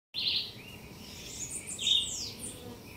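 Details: Blue-winged parrotlet feeding on the leaves of a fringed hibiscus in a garden, giving harsh, buzzy, high calls, one burst at the start and a longer scratchy series after a second, with faint background noise.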